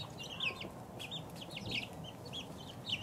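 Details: Peeping of two-week-old chicks: scattered short high chirps, some sliding downward, spaced irregularly over a few seconds against a low background rumble.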